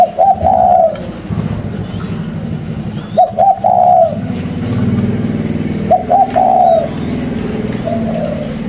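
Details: Caged spotted dove cooing: three short cooing phrases, each a couple of quick soft notes and a longer hoarse coo, repeated about every three seconds over a steady low background rumble.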